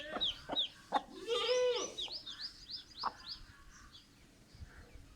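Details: Hen calling to her chicks with quick clucks and a drawn-out, throaty vocal note, while chicks answer with high, rising peeps in a rapid series.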